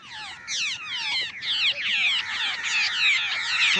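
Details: A babbler flock at a bird-netting trap site chatters with harsh, squeaky notes that slide downward, overlapping in a steady, noisy stream with no pauses.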